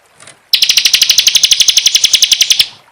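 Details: Bar-winged prinia lure call used to attract birds: a fast, buzzy high-pitched trill of about twenty evenly spaced notes lasting two seconds, starting abruptly after a brief faint sound, with no other clear sounds.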